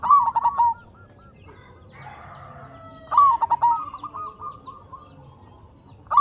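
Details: Perkutut, local zebra dove, in full song to lure and excite other zebra doves: a stuttering cooing phrase, a quieter rough passage, then a second phrase of rapid coos easing into longer mellow notes.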